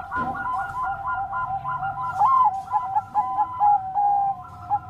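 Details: Bangkok zebra dove singing to provoke rival birds into replying: rapid repeated cooing pulses in stacked tones, then smoother sustained coos, with steady low background hum.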